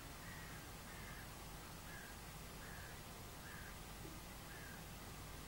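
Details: Hoarse caws from many of about 30–40 crows, repeating about every second, as they mob a goshawk that caught a crow, at 6 am on 22 March 2012 in northern Sweden, over a steady rush.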